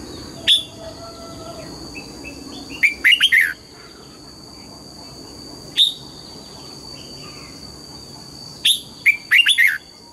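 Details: Red-whiskered bulbul singing in the morning during song training, in the style called double-note mature wild song: short bright whistled notes and a quick three-to-four-note burst, spaced by pauses of several seconds, over a steady high whine.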